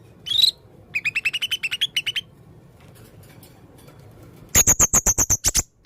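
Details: Red-throated male blue-crowned hanging parrot in full, active song: a thin high note, then about a dozen rapid evenly spaced chirps rising slightly, a pause, and a fast series of sharp, very high ticking notes.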